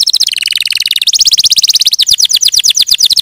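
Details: Canary pouring out a continuous rapid trill that shifts pitch twice, from a high rattling run to a lower one and back up, then into slightly slower descending notes.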